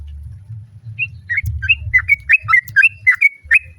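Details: A female sooty-headed bulbul calls the male as other birds reply. About ten short, clear notes come in quick succession, alternating slightly higher and lower, over a soft low hum.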